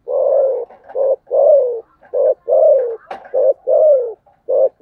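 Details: Spotted dove's fighting coo in the thổ sấm gù style: a steady series of alternating long, falling, husky coos and short clipped notes, roughly once a second, with one sharp click partway through.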